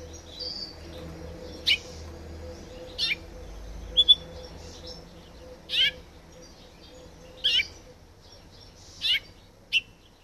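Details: Mutated rosefinch, a colour mutation, giving sharp downslurred chirps spaced one to two seconds apart, with a few soft thin notes in between and a low background hum.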